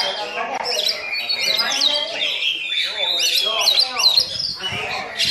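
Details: Oriental magpie-robin pouring out varied mimicry of a myna: quick whistled slurs, twittering chatter and sharp looping notes in a continuous stream.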